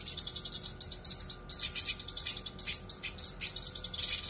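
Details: Cucak kinoi in full, sharp song, as used for masteran: a rapid, unbroken chatter of high, hissy, buzzing chirps, tightly packed with almost no pauses.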